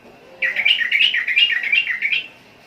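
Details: Sooty-headed bulbul giving a single lively two-second phrase of quick, warbling, chattering notes, loud and close, with a faint low hum behind.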